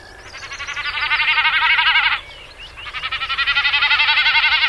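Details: Common snipe in Wales displaying: the male's spread outer tail feathers vibrate in the wind as he dives, making a quavering, bleating drumming hum pulsing about four times a second, rising then fading, pausing before a second run.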